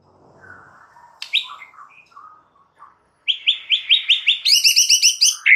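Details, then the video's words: White-rumped shama master song meant to stir other shamas into singing: soft low warbles and a sharp note, then a loud series of rapid, ringing repeated notes climbing higher toward the end. "Dengan CEPAT murai batu AKAN EMOSI dan IKUT GACOR dengan MASTERAN murai batu ini"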